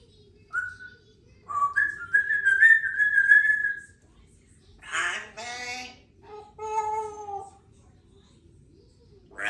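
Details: Three-year-old female Congo African grey parrot, a talkative pet living indoors in a country home with other parrots and cats; short whistled notes rise into a sustained steady whistle, followed by harsh bursts and wavering, nasal, meow-like calls.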